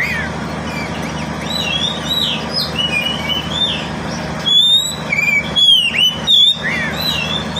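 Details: Oriental magpie-robin (kacer) kept as a pet, its song used to stir quiet birds into singing: soft warbling whistles first, then loud ringing whistled notes and sharp downward slurs in quick bursts, low hum behind.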